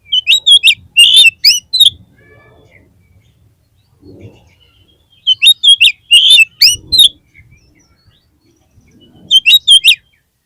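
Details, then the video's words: Kacer (oriental magpie-robin) lure song meant to raise a flagging bird's mental state: clusters of four to six loud, harsh whistled notes repeat roughly every four seconds, separated by near-silence with faint low rumbling. "PANCINGAN KACER PALING AMPUH UNTUK MENAIKAN MENTAL KACER YANG DROP"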